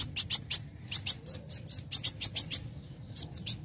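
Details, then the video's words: Young sunbird, used to provoke other birds into singing: high, sharp chirps repeated rapidly in short bursts, each note a bright ticking sound with brief gaps between phrases. "Pancing Bunyi Kowul Muda Gacor"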